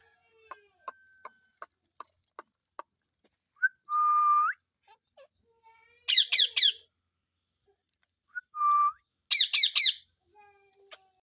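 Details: Indian ringneck parakeet, morning sounds: a series of sharp clicks, then a sustained level whistle followed by a burst of harsh squawks, the whistle-and-squawk sequence repeated once after a pause.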